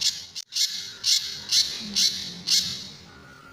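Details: Sunda bush warbler, Indonesian pijantur, in a master recording for tutoring other birds, with its tembakan and besetan song styles: harsh, rasping high bursts about every half second, six in a row, then a pause with faint low hum.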